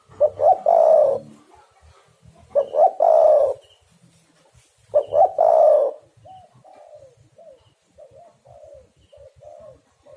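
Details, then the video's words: Spotted dove calling actively as a lure for trapping wild doves. Three loud phrases of clipped notes and a long coo come about every two and a half seconds, followed by a string of soft, brief falling coos over low background rumble. "derkuku super gacor pikat dapat burung bagus"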